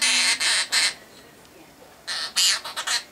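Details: Captive male half-moon conure performing a mimicked nursery song: two short bursts of loud, raspy, screechy syllables, three or four per burst, with a quiet gap between.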